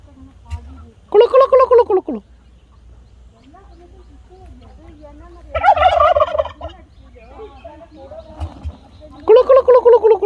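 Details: Wild turkey gobbling: three loud, rattling gobbles about a second long each, arriving roughly every four seconds, with a low rumble and faint murmurs in the pauses.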